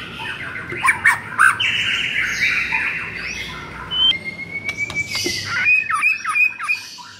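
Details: White-rumped shama song used to rouse a shama that sings too little: scratchy notes over background noise, then a long steady whistle and a string of slurred, looping whistled notes.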